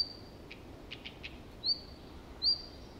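Red-flanked bluetail giving thin, very high whistled notes, two louder ones with a quick upward flick about a second apart, among faint soft ticks.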